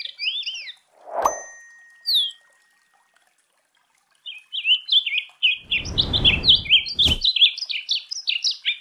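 A seedeater's rapid, high twittering song of quick chirped and slurred notes, about four per second, broken by a couple of loud thumps and a burst of rustling noise.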